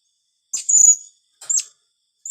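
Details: Blue-crowned hanging parrot called in the 'tembakan rapat' style: thin, high chirps with a slurred, drawn-out squeaky note, then a short rising-falling tweet and a final clipped chirp, in otherwise silent surroundings.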